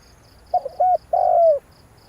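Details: One spotted dove phrase meant to excite a decoy bird: a quick stuttered note, a short hollow coo, then a long, smooth coo that slides downward, against a soft rhythmic insect buzz.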